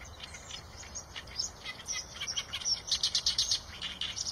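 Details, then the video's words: Eurasian tree sparrow with scattered high chirps building into a fast, loud series of short repeated notes in the last two seconds. "tiếng chim sẻ đồng cường phạm"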